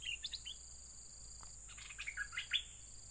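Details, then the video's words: Yellow-vented bulbul calls used to lure birds: short bright chirps and a quick burst of bubbling, descending notes, over a steady high insect-like hiss and faint buzzing. "mikat burung merbah kuning"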